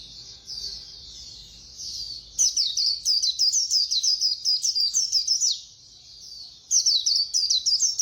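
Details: Fast 'khuyên líu' song of a white-eye: a soft high warble, then a loud three-second run of quick, sharp, zigzagging chirps, a pause, and another rapid burst near the end.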